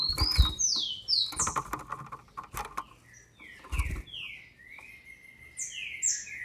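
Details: Captive female green-winged saltator in Brazil, used to stir up males: high whistled notes that slide steeply downward in quick pairs, then a lower descending series, broken by several soft knocking thuds.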